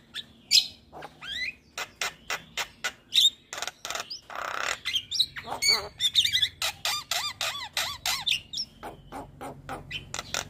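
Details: Javan pied starling, a very active bird singing nonstop, delivers a busy jumble of harsh squawks, sharp chips and short looping whistled notes. A faint low hum sits underneath.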